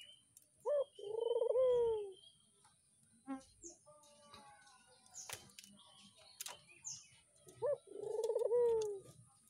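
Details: Captive Barbary dove kept near a house, described as very vocal. Two soft, low, rolling coos with a rising then falling swell, about six seconds apart, with faint clicks, light knocks and a steady high hum between them.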